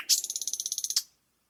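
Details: A thrush nightingale (Luscinia luscinia) singing in Latvia gives one high, dry clicking rattle of about fourteen sharp notes in under a second, ending with a brief louder note; no other sounds.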